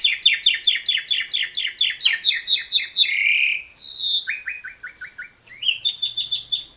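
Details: Asian pied starling in full song for training young birds: a fast run of repeated chirps, a drawn-out rising whistle, then short repeated notes and a final whistled series.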